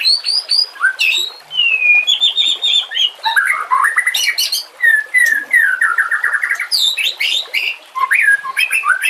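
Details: White-rumped shama, a training-tape singer in the harsh 'nembak kasar' style, delivering loud sweeping whistles, clusters of sharp high chips and rapid falling slurs in a continuous, richly varied phrase.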